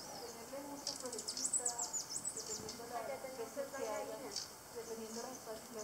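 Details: Black-tailed trainbearer in Colombia giving thin, very high, sliding chips in quick bursts, with a murmur of people talking underneath.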